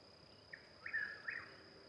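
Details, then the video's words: One of at least two Chuck-will's-widows calling near Louisville, Kentucky, on May 26, 2020, gives a whistled phrase: soft opening note, longer slurred middle, emphatic final note, over a steady high insect drone. "Chuck-will's-widow Calls"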